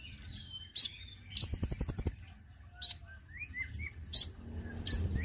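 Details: Konin bird sound used as a lure to attract birds: sharp high chips, then a fast run of about ten thin, very high notes, followed by scattered short rising whistles and more chips.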